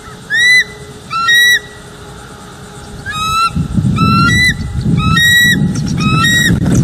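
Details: Wild bald eagle pair at a northeast Florida nest on a live nest cam, late morning, defending territory. The female on a lookout branch warns the male that he is close enough. Five high, squealing harmonic calls, two spaced early, three later, over rising wind rumble.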